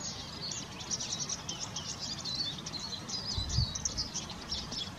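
A Eurasian siskin sings a fast, continuous, high twittering of thin notes and wheezy trills, over a low background rumble.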